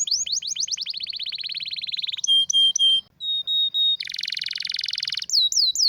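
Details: Canary delivering a strong, rare song for tutoring birds: fast falling sweeps merging into a rapid roll, clear held whistles in short blocks, a broad buzzy trill, then looping whistled phrases.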